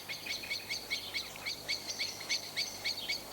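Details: A common blackbird in a British garden gives its alarm call, often used when going to roost: a run of sharp, metallic chinking notes, about four a second, high and insistent, over faint background hiss.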